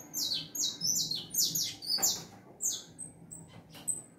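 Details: Saffron finch singing a fast string of high, sweeping chirps, some sliding downward, followed by a few thin, sharp notes spaced apart.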